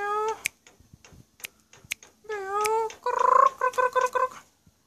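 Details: Black-collared starling singing: a varied mix of harmonic whistled notes, some descending slides, sharp clicks, and a final run of rapid, pulsed, buzzy notes repeated about five times.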